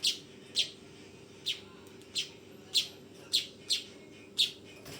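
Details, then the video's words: Juvenile weaver giving eight scratchy chirps in five seconds, bursts arriving at uneven intervals, over a quiet electrical-sounding hum. "SUARA BURUNG MANYAR TROTOLAN"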